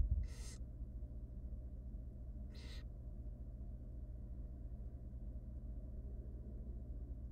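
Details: Three hungry wild barn owl nestlings in a monitored nest box, being fed by their mother, give two harsh, broadband hissing screeches about two seconds apart over a steady low hum.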